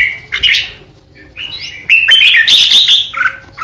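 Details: Red-whiskered bulbul kept as a decoy singer, performing 'ché'-style song aimed at threatening opponents. A short whistled note comes first, then a pause, then a loud, bubbling run of warbled, chattering notes.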